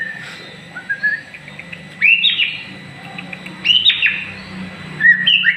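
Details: White-rumped shama, a prospective champion singer, in song while moulting into new feathers; clear whistled notes, some sharply rising then falling, in bursts with short pauses and a low steady hum beneath.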